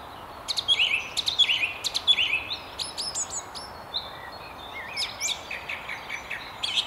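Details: Song thrush perched high in a treetop by the River Tyne near Haddington, delivering rapid repeated notes in bursts, clear sharp phrases followed by varied whistles and trills, with faint background hiss.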